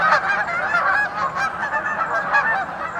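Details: Several geese returning home in spring as the water's ice breaks up give continuous harsh nasal honks in a dense overlapping chorus; dogs are also noisy.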